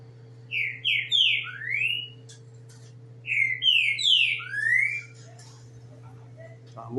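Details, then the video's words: Green-winged saltator in full song: two loud phrases of rich, slurred whistles, each a run of three or four notes ending on a falling one, separated by a short pause, over a steady electrical hum. "TRINCA FERRO🔥 DANDO SHOW🔥"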